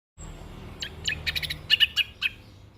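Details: Young orange-headed thrush singing its rolling, fully filled-in style, used for song training and as a lure: a few short high chirps, then a quick run of bright whistled notes near the end over a low background hum.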